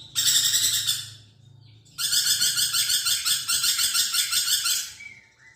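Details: Lorikeet singing energetically: a buzzy, high chattering trill for about a second, a short pause, then a long rhythmic, rasping pulsed trill of three seconds ending in a faint whistle.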